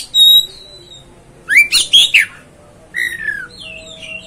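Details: Oriental magpie-robin song: a long pure whistle near the start, then a burst of rich sliding notes and a falling whistled phrase, quiet gaps between.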